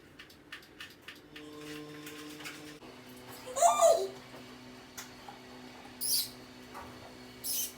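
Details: Rose-ringed parakeet chirping indoors: one loud, harsh screeching chirp midway, then a few brief high squeaks, over a faint indoor hum and clicks.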